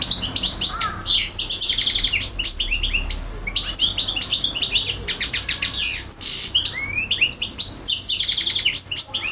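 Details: A European goldfinch sings a fast, tinkling stream of liquid twitters, buzzy trills and sharp high notes that runs almost without a break, part of a song kept up non-stop for a few hours.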